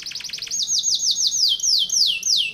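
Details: Canary singing in the insistent 'tembakan rapat' (dense shots) style: a burst of rapid clipped notes, then loud high downslurred whistles repeated roughly three times a second.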